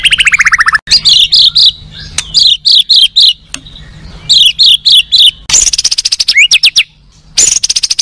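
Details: Oriental magpie-robin kept for song competitions, pouring out isian phrases: bursts of clipped high chirps, fast rattling series and rising whistled sweeps, loud and varied.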